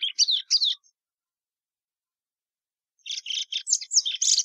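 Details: Short burst of bright chirped notes from a plumbeous seedeater, Sporophila plumbea, then two seconds of silence before a denser run of buzzy, rapid twitters resumes.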